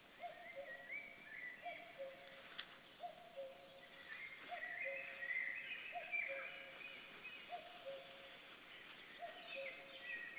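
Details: An unseen common cuckoo near a black stork nest in Estonian woodland, 7 May 2013, gives its low falling two-note call over and over at a steady pace while assorted songbirds twitter in the background.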